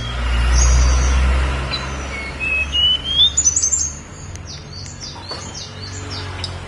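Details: Snowy-browed flycatcher singing on Mount Songgo Langit: after a loud low rumble, a run of thin, high whistled notes, some sliding upward, others quick and descending, repeated rapidly over about three seconds.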